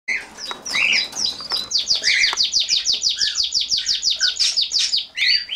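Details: A two-week-old cockatiel (Nymphicus hollandicus) chick, eyes open and growing pin feathers, gives a fast, steady run of high, scratchy chirps.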